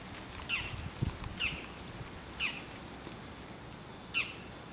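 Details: Bull-headed shrike perched on an antenna in the rain, giving its high-pitched territorial call: four sharp, harsh notes spaced about a second apart, each with a quick falling slur, over steady rain hiss.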